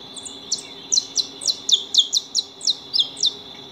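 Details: Saffron finches feeding at a house give bright, sharp chirps, about three per second, in a loose run over a steady high-pitched whine in the background.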